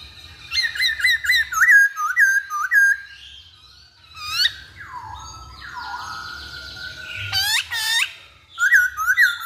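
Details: Masked laughingthrush lure song: quick repeated hooked notes in a rhythmic series, a long buzzy wavering passage, sharp downward sweeps, then more rhythmic notes at the end.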